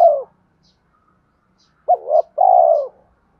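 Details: A spotted dove's coo, played as a lure to excite decoy doves being trained. The end of one drawn-out falling note is followed by a full phrase: a short two-part rising hoot, then a long, smooth, descending coo.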